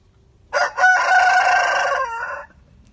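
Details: Chicken crowing: one loud crow lasting about two seconds, a short opening note, then a sustained, richly harmonic hoarse tone that drops away at the end, over faint low background noise.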